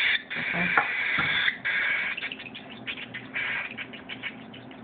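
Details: Hand-fed cockatiel hatchling begging: loud buzzy rasping that breaks into rapid pulsed chatter, about three pulses a second, softer toward the end.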